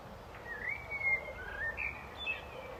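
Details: Blackbird song with fluted, slurred whistles in a short warbling run, sliding up and down through a mid-high range over low, even background noise.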